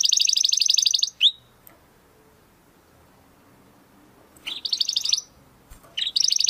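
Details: Domestic canary singing a crystal-voice song meant as a master recording for training competition birds: a fast high trill, a short whistled slur, a long silent pause, then further rapid trills resume.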